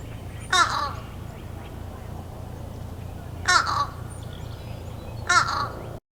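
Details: Fish Crow perched in a tree in Massachusetts in early spring, calling for a while: three short, nasal, slightly doubled, comical caws about two seconds apart against a steady low rumble.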